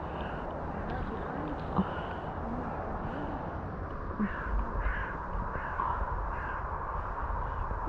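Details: By Sestroretsky Razliv lake, crows cry noisily, some from afar, as a "crow wedding" begins: harsh, repeated caws in a loose series against a steady rumble, with a person speaking.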